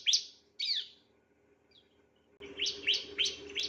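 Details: Bar-winged prinia, possibly male, on a training recording for other birds: two high sweeping chirps, a pause of over a second, then several more sharp downslurred notes over slightly louder background noise.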